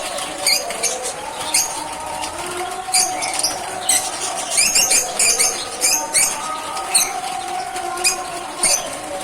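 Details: Lovebirds in captivity chirping and screaming: rapid clusters of shrill, high squeaks and chips at irregular intervals, with a constant low hum beneath.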